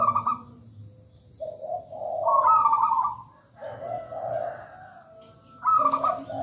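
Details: Local zebra dove singing for lure use: soft low rolling coos build into a loud high trill, then fall back to purring notes before the next phrase starts.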